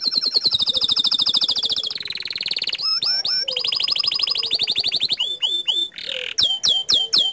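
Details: Loud, continuous canary song in the gacor style, with long rapid trills, buzzy rolling passages and bright swooping notes linked together without a break.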